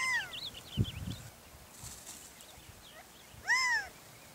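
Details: Gambel's quail calling in a wetland in Moapa, Nevada: two loud, nasal, arched calls with rich overtones, one at the start and one about three seconds later, with faint, thin, wavering high notes and soft low thumps between them.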